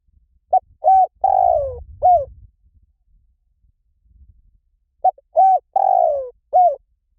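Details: Spotted dove cooing: two phrases about four seconds apart, each of four mellow coos, a short note, two longer ones with the third drawn out and falling, then a final coo, over a faint low rumble.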